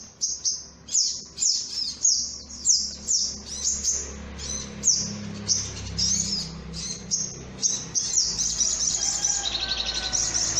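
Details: Bird-luring recording of a sunbird: a series of short, very high, sliding chip phrases repeated about every half second, then a denser shrill twittering stream, over a faint low hum.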